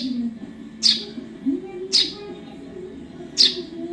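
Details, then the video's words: Young Eurasian tree sparrow used to tutor songbirds: three abrupt, high-pitched chirps at uneven gaps over a faint low drone. "MASTERAN BURUNG GEREJA ANAKAN"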